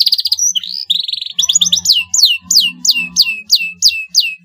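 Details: Canary lure song for drawing a quick reply from a rival bird: rattling trill and buzzy rolls open, followed by a steady series of falling whistled sweeps about three per second, with a soft low hum beneath.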